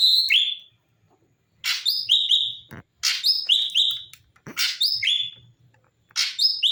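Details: Bulbul (cucak cungkok) singing actively in a natural-voice, varied recording meant as a tutor song for other songbirds: short bursts of bright, descending whistled notes stepping down in pitch, delivered in phrases about every one and a half seconds, with clean silent gaps.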